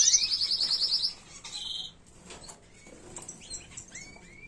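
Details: Canary tutor song for young birds: a fast high trill, a brief buzzy roll, then quiet scattered upslurred whistles and chirps.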